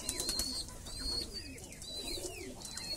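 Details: Armenian pigeons of the Kudul and white-tailed types, kept in Almaty, give soft, low, rolling coos in irregular bursts over a steady hiss of indoor background noise.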